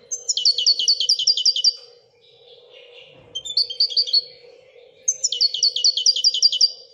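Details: Royal goldfinch song: three bursts of rapid, evenly repeated tinkling notes, each burst about a second long, separated by short pauses, with a constant low hum behind.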